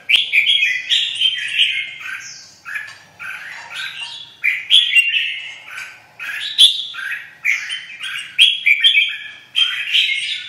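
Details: Red-whiskered bulbul, a bird with white wing feathers, delivering excited 'vào lửa' song: short, loud warbling phrases roughly every second, each a bubbly cluster of liquid whistles and chips with brief gaps between.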